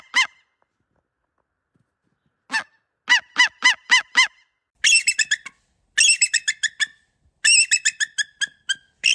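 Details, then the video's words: Eagle giving odd calls: a lone high note, then a quick string of clear descending yelps, followed by bursts of shrill, buzzy chattering notes in rapid groups, separated by short silences. "10 weird eagle sounds"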